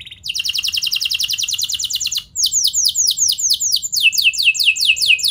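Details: Canary singing a pancingan lure to get other canaries to join in: a dense, fast trill, a brief pause, then a chain of loud high notes, each swooping downward.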